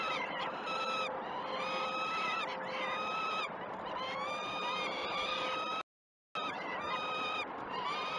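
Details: Peregrine falcon chicks begging at a feed at the Great Spirit Bluff nest, live nest camera, 12 June 2018 at 06.20. Harsh, harmonic screeches pour out in overlapping runs, with a brief silent gap near the end and windy hiss.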